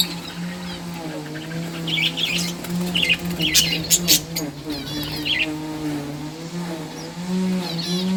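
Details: Captive breeding budgerigars playing, heard as scattered bright chirps and short warbled twitters over a steady low mechanical hum, like a fan or motor, that runs throughout.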